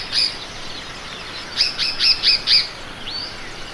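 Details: Oriole Warbler (Hypergerus atriceps), an African species, giving a brief high note, then four quick bright whistled notes in a tight burst and a final rising slur, over a faint background hiss.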